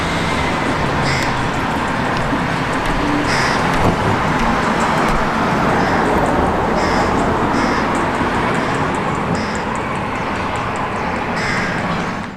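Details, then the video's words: Newly fledged crow at a balcony bird table, hungry and begging a parent for food, gives about ten harsh, rasping calls spaced across twelve seconds beneath constant heavy traffic noise. "Oldest Fledgling Begging Parent for Food"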